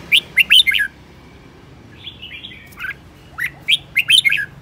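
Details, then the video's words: Aggressive decoy red-whiskered bulbul, kept caged and spinning about, singing loud bursts of short bright warbled notes in quick clusters, a softer slurred passage midway, then more ringing phrases toward the end. "Chào mào mồi hót cực hay, hung hăng quay cuồng"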